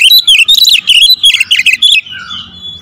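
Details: Oriental magpie-robin firing close 'tembakan' notes in a lure song: two seconds of dense, quickly changing whistled and buzzy phrases, ending in a faint lower whistle and quiet background.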